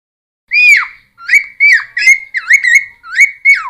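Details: Cucak timor song used for luring and song training: loud, clear whistles, each swooping down or wavering, given in a rhythmic sequence of short phrases after a brief silence.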